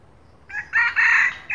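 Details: Junglefowl, called the king of the junglefowl, crowing in the morning as a lure: a brief harsh crow with a short first note, then a loud, rasping, held note, then a clipped start of another note.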